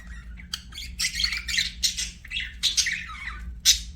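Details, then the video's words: Budgies chirping in bursts of buzzy, raspy warbling notes separated by brief pauses, ending with a single sharp high squeak, over a faint low hum. "BUDGIES CHIRPING SOUND"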